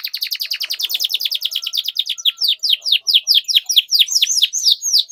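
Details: Canary delivering a long, lively song used to tutor young canaries: a rapid stream of sharp chirps that slows into spaced, downward-sweeping whistled notes.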